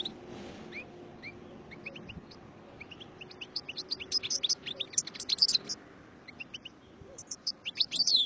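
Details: Singing goldfinch, starting with sparse thin whistled notes that build into a dense lively tinkling twitter, pausing, then resuming with high rising chirps, over faint low background noise.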